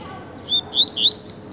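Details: Pet double-collared seedeater (coleiro) singing a rapid series of loud, clear whistled notes, each sliding upward or downward, delivered in quick succession with short gaps, against a quiet background.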